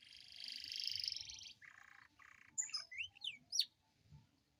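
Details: Atlantic canary song meant to prompt lazy canaries to sing, heard fairly softly: a dense high trill, then two short buzzy blocks, then quick sharp up-and-down whistled sweeps.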